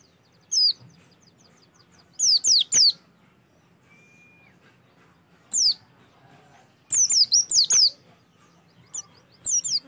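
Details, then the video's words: Oriental white-eye song meant to make birds start singing: scattered short bursts of high, thin, downward-slurred notes separated by quiet gaps, with one brief steady whistle midway. "PANCINGAN AMPUH SUPAYA PLECI LANGSUNG BUKA PARUH"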